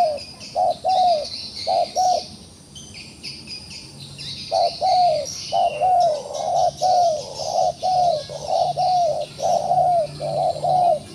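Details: Wild pigeon stuck in a trap yet still fighting, cooing in rapid runs of short and drawn-out notes, with a brief pause partway through before a long steady series resumes, against buzzing insects.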